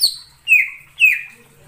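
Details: Three sharp, loud whistles from a greater green leafbird lure recording for trapping, each sliding downward and spaced about half a second apart.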